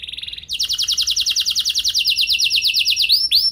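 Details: Canary lure song to set off long rolls in other canaries: soft opening notes, then a loud rapid trill of repeated swept notes for about two and a half seconds, closing with arched whistles.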